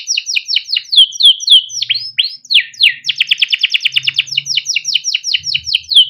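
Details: Male canary singing the 'cuit cuit ngerol' pattern for training young birds: descending swept whistles, a few louder rising slurs, then a dense rapid trill and more swept notes, faint low rumble in places.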